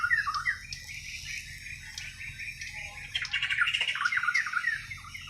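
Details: Untutored natural song of a Kalimantan white-rumped shama from Borneo: continuous mellow whistles and fast chattering trills, with a louder dense passage after three seconds.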